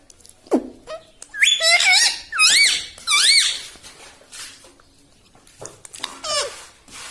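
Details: Talking pet parrot, said to say "mitthu" and "mummy", gives a run of squeaky up-and-down warbled syllables in the middle, with fainter squeaks near the end, in a small room.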